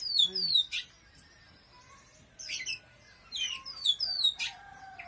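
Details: Oriental magpie-robin song: rapid cascades of high descending whistled notes in bursts about every one and a half seconds, separated by a thin sustained tone and quiet gaps.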